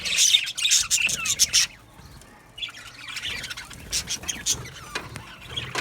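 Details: Budgerigar colony in an aviary: a loud flurry of high, squeaky chirps for a second and a half, then quieter, scattered twitters and short whistled notes from the flock.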